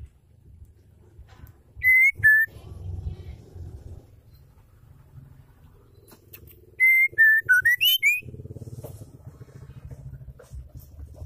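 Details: Female white-rumped shama, kept to make male birds sing and become aggressive, utters two brief whistles, then a rising series of pure whistled notes, over a steady low hum and murmuring background.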